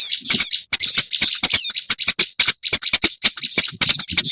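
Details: Lure recording of a black-browed reed warbler for attracting birds: rapid scratchy chatter opening with a brief warbled phrase, then sharp clicking notes repeated unevenly, roughly four to five each second.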